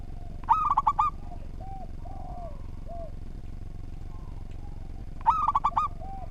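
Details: Local zebra dove singing actively in a well-ordered song meant as a master recording. Two bright phrases of rapid ringing coos almost five seconds apart, with several soft, short low coos in the gaps and faint background hum.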